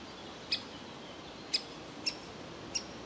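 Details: Young woodpecker inside a tree hole calling to be fed as the parents coax it out; four crisp high calls spread unevenly over a few seconds, with faint background hiss.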